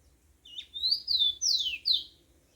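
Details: At dawn in nature, a yellow-bellied seedeater sings a short phrase of four or five clear, sweeping whistled notes, several sliding downward, over a soft low hum.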